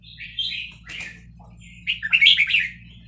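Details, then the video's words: Vietnamese red-whiskered bulbul kept in a cage, stirred up by a recording of chicks, answers with quick linked song phrases: a mellow warble, a brief rasp, then a loud bubbling run of notes. "นกกรงหัวจุกเวียดนาม ต่อดอกเร็ว เปิดยั้วลูกนกฟักแล้วคึกร้องตาม"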